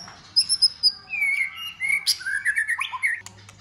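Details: Competition song of a white-rumped shama, opening with a thin high whistle, then sliding warbled whistles and a brief harsh note.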